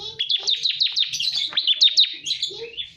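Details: Bar-winged prinia lure call: a rapid series of sharp, high chirping notes, each with a quick downward flick, running almost continuously for three seconds in clean, bright bursts with no other sounds.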